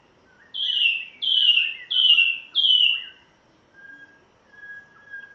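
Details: Spotted morning-thrush from Tanzania on its first day at its new home, with a white-rumped shama also singing: four loud descending whistled notes in quick, even succession, then softer drawn-out whistles.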